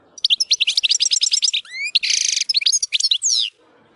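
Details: European goldfinch in the wild sings a varied phrase of quick tinkling twitters, rising slurred whistles and a dense buzzy trill, all packed into about three seconds.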